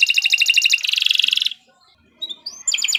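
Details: Canary, a Nusantara canary kept for tutoring other birds, sings fast rattling trills: a quick two-toned buzzy series, then a denser rapid trill, a pause, and a few thin whistled notes rising into another trill.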